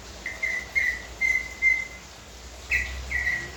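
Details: Leafbird giving thin, drawn-out whistles on one level pitch, several in a row, then a pause and two brighter, slightly buzzy notes. Quiet background.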